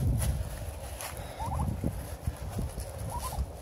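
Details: Turkeys (Meleagris gallopavo) eating in a barn in Dryden, Michigan give two brief bursts of quavering, wavering mid-pitched notes over a steady low rumble of shuffling and pecking.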